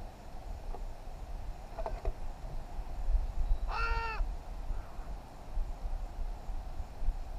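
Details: Wild, free-flying New Caledonian crow family of three around a log, using tools to get food; one loud harsh nasal caw midway, a couple of fainter short calls earlier, over steady low wind rumble.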